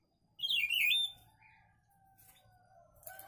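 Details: Papa-pimenta, a friend's bird, singing one loud, quick warbled phrase that twists up and down at a high pitch, followed by quieter scattered notes and a faint steady lower tone in the background.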